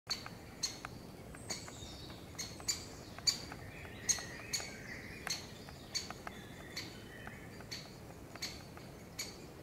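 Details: A great spotted woodpecker of a pair with young in the forest gives loud, sharp, high 'kik' alarm notes, irregularly about once a second over steady hiss, mobbing a pine marten sleeping in the nest hole below.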